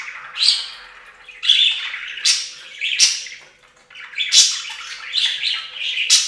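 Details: Several budgerigars in a bath fountain, loud bursts of sharp squawks and chirps recurring about every second, separated by softer twittering.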